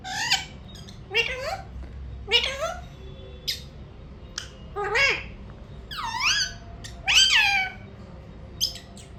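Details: Talking Alexandrine parakeet kept indoors, reportedly repeating a short phrase: a string of rising, wavering voiced syllables mixed with sharp scratchy squawks and clicks, irregularly spaced, over low background hum.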